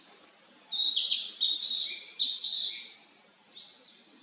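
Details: Narcissus Flycatcher singing in a forest park in hot July weather, 2025: loud, varied whistled phrases with quick slurred notes and a few lower warbling ones, delivered in an uneven run of about five phrases in quiet surroundings.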